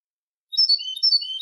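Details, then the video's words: European goldfinch singing for young birds to copy: a brief clear run of high, thin whistled notes and sliding tones, bright and liquid, heard alone with no background noise. "الشريط الملكي لتسميع فراخ الحسون 2020 - Goldfinch Song - Jilguero Canto"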